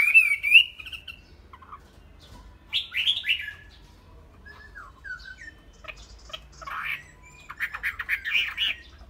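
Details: Chinese hwamei in a cage gives a loud opening whistled phrase, then scattered fainter warbles and clipped notes with quiet gaps, ending in a burst of rapid chattering notes.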